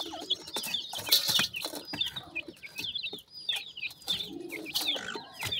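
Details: High, down-slurred peeps from new black partridge chicks run almost continuously, mixed with loud clacks and shuffling sounds.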